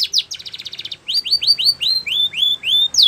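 A Belgian canary sings a rapid trill, then a series of bright upslurred whistled notes about three per second, high and clear with no other sounds.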